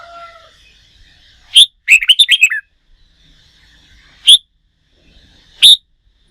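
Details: Freshly caught red-whiskered bulbul being schooled for singing contests sings one lively run of quick, bright notes after a sharp note, then gives two isolated sharp high notes spaced more than a second apart.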